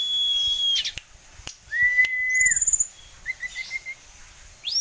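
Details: Tame caged sulingan gunung with many song variations: a long steady high whistle, then a flat mid-pitched whistle held about half a second, a quick trilled note and a short rising slur, with a few sharp clicks between.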